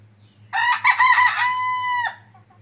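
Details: A chicken crowing on a cloudy morning: a loud, harmonic-rich cock-a-doodle-doo lasting about a second and a half, choppy at first, then a long level drawn-out note that drops at the end, over a low steady hum.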